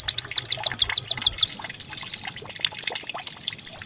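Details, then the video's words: Canary-like white-eye decoy song for prompting birds to sing: about ten loud, high arched whistles in quick succession, then a continuous fine, level trill. "Pancingan pleci agar cepat buka paruh || pleci serasa canary"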